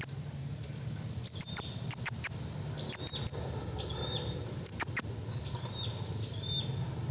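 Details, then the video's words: Lure call of a blue-crowned hanging parrot summoning forest rivals: piercing high ticks in clusters of two to three, repeated several times, with a continuous high insect whine and low background rumble. "BURUNG SERINDIT BUNYI MEMANGGIL LAWAN HUTAN suara serindit PIKAT"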